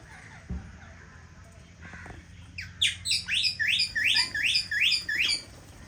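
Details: Rose-ringed parakeet from an aviary pair that has found a nest gives about seven harsh, high screeches, roughly three per second, after a quiet start with a soft thump and low hum.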